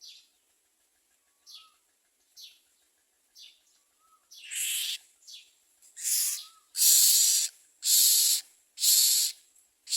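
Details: Common myna feeding its young: soft, short, high notes and a faint low whistle open the passage, then build into loud, harsh hissing bursts repeated about once a second.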